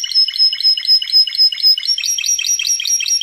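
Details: Spanish Timbrado canary song for training canaries: a regular, pulsing trill of about four notes per second, ringing and metallic, with a slight rise in pitch in the second half.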